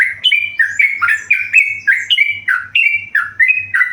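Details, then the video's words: A tame yellow-vented bulbul sings a brisk series of bubbly, slurred notes. Each note rises then falls, about three per second, with a steady low hum beneath. "burung trucukan gacor jinak"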